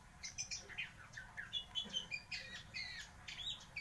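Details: Oriental magpie-robin (kacer) singing continuously and delivering mimicked 'isian' phrases, used to provoke and rouse other magpie-robins. Rapid varied chirps, squeaky whistles and short buzzy notes, several per second, over a faint low rumble.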